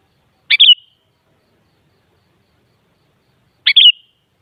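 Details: Sooty-headed bulbul, locally kutilang, sung to set off a kutilang's reply: a crisp chirp and liquid whistled twist, repeated once about three seconds later, otherwise quiet.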